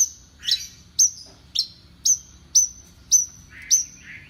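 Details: Horsfield's bush lark of champion standard giving loud, clear, high whistles, each falling into a short tail, repeated evenly about every half second. Lower, husky notes fill the end.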